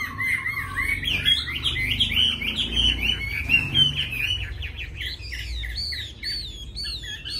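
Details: A caged Chinese hwamei sings loud, varied whistled phrases in quick succession, looping and slurred, with a low rumbling background hum.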